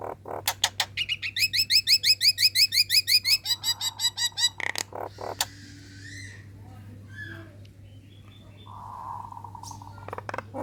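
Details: Female Nias hill myna, caged, calling to attract males: quick broadband clicks, then a fast regular run of high whistled notes, followed by quieter buzzy notes and low hum.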